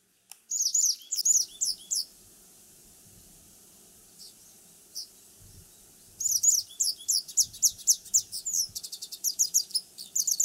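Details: A Japanese wagtail sings bright, high, varied chirps and twitters in two quick bursts, separated by a few seconds of quiet background hum.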